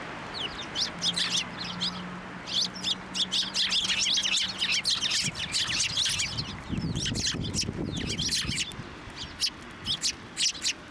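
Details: Sparrows swarm a hand to be fed at a Tenmangu shrine, March 2024; rapid bright chirping from several birds, a low steady hum early on, and rustling noise midway.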